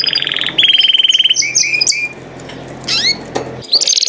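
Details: Singing canary delivering a fast even trill, then short rising and falling whistled slurs, a brief quiet gap, and a closing burst of sharp high notes.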